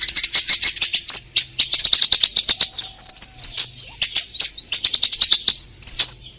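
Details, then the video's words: Orange-headed thrush in full energetic song, used as a lure to prompt caged birds to answer: loud, fast run of high chirps and short sweeping whistles, densely packed with few pauses; faint low hum underneath. "Pancingan Konin Gacor Langsung Nyaut"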